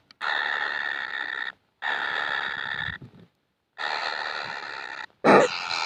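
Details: Hungry kingfisher chicks asking for food: long sustained buzzy rasps of over a second each, separated by short silences, ending with a louder, sharper burst of noise.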